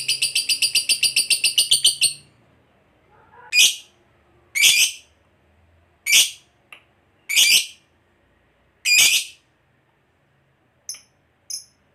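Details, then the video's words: Fighter lovebird ending a long ngekek trill used to lure other lovebirds to respond: two seconds of rapid shrill pulses, then a pause and five separate harsh squawks, finishing with two brief high chirps. "PANCINGAN SUARA BURUNG LOVEBIRD NGEKEK PANJANG"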